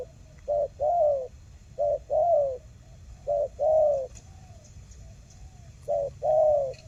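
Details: Spotted dove calling as bait to get silent doves to respond: four evenly spaced short-then-long coo pairs about every one and a half seconds, over a faint hiss.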